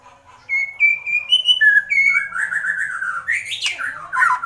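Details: White-rumped shama in an agitated state giving a kretekan call: a run of clear whistled notes stepping upward, then a rising buzzy warble ending in a sharp sweeping note.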